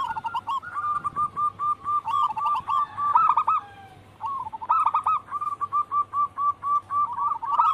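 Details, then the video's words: Energetic singing from a local wild-type zebra dove, with soft rolling coos repeated in quick succession, a brief pause, then a steady string of pulsing cooing notes. "Pancingan burung perkutut lokal alam gacor"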